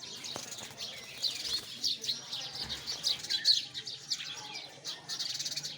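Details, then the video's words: A flock of sparrows chatters in quick, shrill chirps, the bursts growing louder toward the middle, with a few soft low knocks. "Listen the voice of sparrow"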